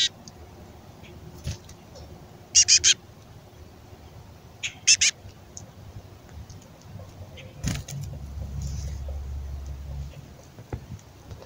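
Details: Female black-capped chickadee giving a raspy fledgling-style begging call before nesting season while a male feeds her; two short bursts of rapid harsh notes, three then two, amid quiet background and a soft low thump.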